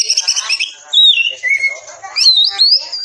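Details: Short stretch of Oriental magpie-robin training song for caged birds: scratchy chatter, then clear drawn-out whistles falling and rising, ending in looping high slurs.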